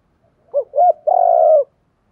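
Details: Clean spotted dove coo for stimulating decoy birds: two rounded, hooked notes followed by a drawn-out, buzzy coo of about half a second, with nothing else audible.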